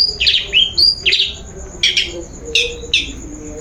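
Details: Lure song of a long-tailed shrike, meant to coax a bird into singing: loud, bright notes sweeping down, given in short clusters with brief pauses, over a faint constant high tone.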